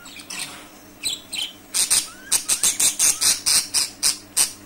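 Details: Loud, harsh budgerigar squawks repeated rapidly and unevenly, about ten clipped high notes in the last three seconds, after a few softer chirps.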